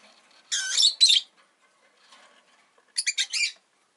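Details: Rosy-faced lovebird calling with two grating, buzzy screeches in quick succession. A pause follows, then a rapid burst of four short, harsh chirps, with faint rustling in between.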